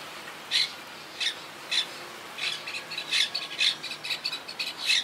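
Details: Wild Quaker parakeet colony, rebuilding since hurricane Irma in 2017: sharp, harsh squawks, first spaced about half a second apart, then quickening into a rapid run of calls.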